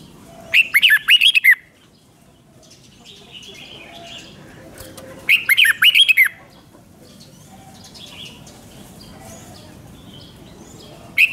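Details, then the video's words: Red-whiskered bulbul from Thailand singing a doubled five-syllable song: two bright, quick whistled phrases of about a second each, roughly five seconds apart, with another beginning at the end; faint low background hum. "เสียงนกกรงหัวจุกเบิ้ล2 เบิ้ล3 เพลง 5 พยางค์"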